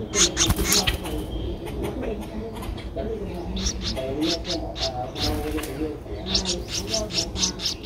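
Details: Twelve-day-old streak-eared bulbul nestling, Ubon Ratchathani, Thailand, 14 April 2023: short high chirps in rapid irregular bursts, loudest at the start, over a low murmuring background.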